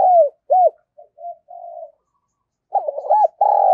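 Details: Female spotted dove cooing to excite males, in a rural-voiced style: looping mid-pitched coo notes, a few soft short notes and a drawn-out purr, then a fast burst of rolling coos after a brief silence.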